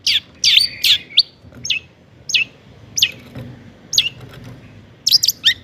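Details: Long-tailed shrike in lively song used to excite other shrikes: loud scratchy notes and a squeaky whistle at the start, followed by sparse short sharp chirps with pauses between them.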